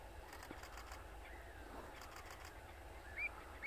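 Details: A citrine wagtail at Baarland, Zeeland, the Netherlands, on 29 April 2024, gives two short, sharp, slightly buzzy call notes near the end, about half a second apart, over a soft outdoor hiss.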